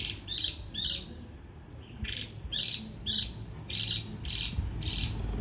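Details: Japanese white-eye giving líu choè song: a fast series of sharp, high chattering bursts about every half second, some with bright upslurred whistles, against faint low background hum.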